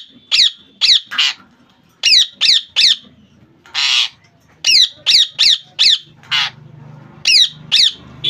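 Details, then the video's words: A caged rose-ringed parakeet squawks in quick clusters of three or four shrill, rasping notes, mixed with a few broader, noisier screeches and a faint low hum behind. "Parrot sound"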